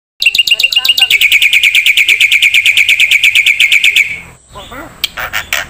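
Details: Black-winged myna song used as a master recording for training songbirds: a fast, steady run of bright, ringing repeated notes lasting about four seconds, then a few scattered squeaky calls.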